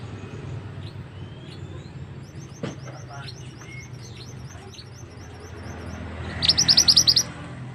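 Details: Mantenan bird (pied bushchat) song used as a tutor recording for training other birds: faint, thin high chirps in a loose series, then a loud burst of about eight rapid, sharp high notes near the end, over a low steady hum.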